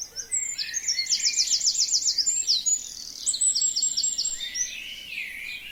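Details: Forest birds singing in spring over a frozen wild forest lake on a sunny, windy day: high rapid trills of repeated thin notes, two runs of about eight and five strokes, over steady wind hiss.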